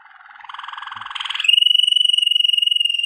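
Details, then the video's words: Waterslager canary song for training: a low, soft rolling trill that grows louder, then switches abruptly to a higher, fast, evenly pulsed trill held steadily to the end. "Legendary Waterslager Canary Singing For Training"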